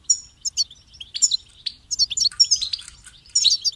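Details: Goldfinch singing: bright twittering phrases of rapid high chirps and short trills, delivered in bursts with brief pauses between them.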